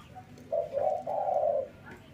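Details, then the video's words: Soft, husky low cooing from a male local Barbary dove in the morning, two drawn-out breathy notes over a noisy background hiss. "SUARA BURUNG PUTER LOKAL JANTAN GACOR PAGI HARI"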